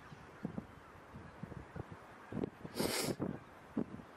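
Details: Grazing flock of geese, mainly White-fronted with Tundra Bean, Egyptian and Barnacle Geese, in the Sassemse Floris Schouten Vrouwenpolder, 26 January 2017; scattered low honks over a murmuring background, with a brief loud hissing rush near the middle.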